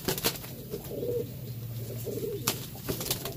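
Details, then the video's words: Cuban Pouter pigeon males fighting for a nest, territorial; two low, droning coo phrases about half a second each, separated by a pause, amid sharp clicks and tapping scuffles. "Territorial Cuban Pouter Males Fight For Nest"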